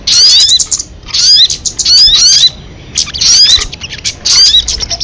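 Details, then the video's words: Crested jay calls in bursts of sharp, high chattering notes with fast downward-sweeping whistles, about one burst per second, separated by short gaps. "Suara MP3 burung sogon kamade"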